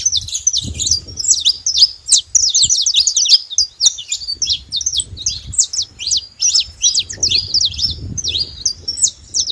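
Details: Several wild saffron finches deliver rapid, crowded high-pitched chips and sharp slurred notes one after another, with faint low rustling noise beneath.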